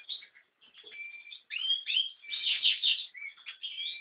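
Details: An American goldfinch delivering a long, tumbling song: high slurred whistles and level held notes mixed with quick chattering twitters, swelling loudest past the midpoint before a brief softer tail.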